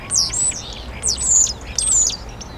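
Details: Common starling singing in Hyde Park, London, in April 2016: three bursts of high, squeaky, whistled and rasping notes with sliding pitch, about one every second, over faint background hum.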